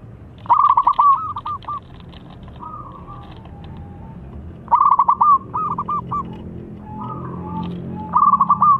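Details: Local zebra dove used to stimulate silent doves to sing: loud phrases of quick stuttering coos trailing into drawn notes at the start, middle and end, softer cooing phrases filling the gaps, low hum beneath.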